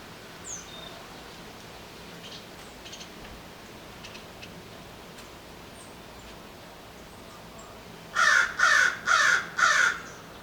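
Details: American Crow in a city setting near human infrastructure, giving four loud, harsh caws in quick succession near the end after a stretch of quiet background hiss, with faint high bird chirps earlier.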